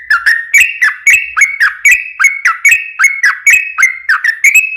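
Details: Yellow-vented bulbul in rapid, long 'ropel' song used as a lure to get other bulbuls singing: a dense run of short bubbly whistled notes, some rising, some dropping, about one every third of a second, with no other sounds.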